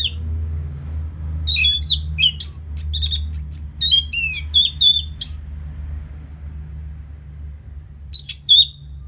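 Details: Orange-headed thrush after moulting, used to make the bird more aggressive: a fast, varied stream of high sliding whistles and chirps lasting about four seconds, then a short pause and two more whistled notes, over low background hum.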